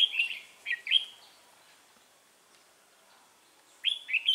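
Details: Red-whiskered bulbul at a trapping session on 3 November 2018, giving two quick bursts of bright warbled notes that slur downward, then a pause before another rapid warbled phrase.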